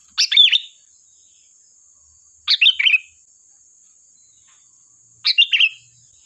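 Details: Three sooty-headed bulbul song phrases used as a lure, each a quick rising-and-falling cluster of whistled notes, spaced about two and a half seconds apart, over a thin steady high hiss.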